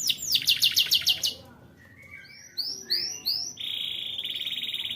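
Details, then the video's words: Canary song meant to stimulate young canaries: a fast high trill, a brief pause, then several rounded whistled upslurs and a steady flat rolling trill to finish. "BUAT KENARI PAUD LEBIH RAJIN BUNYI"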